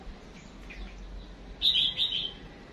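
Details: Female chim chuyền songbird giving a decoy call to draw song from males: a short, bright burst of high twittering notes, rising in loudness, over faint background noise.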